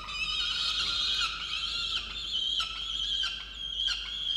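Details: Peregrine falcon in a nest box on a water tower, Orange, New South Wales, Australia, 8 November 2022, angry at its mate for bringing no breakfast; a sustained scratchy whine, loudest early, with slight breaks and ticking later.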